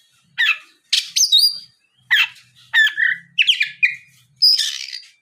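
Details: Oriental magpie-robin singing as a lure to draw song from other magpie-robins: harsh scratchy notes alternating with clear slurred whistles, about six phrases spaced roughly a second apart, with a faint low hum beneath.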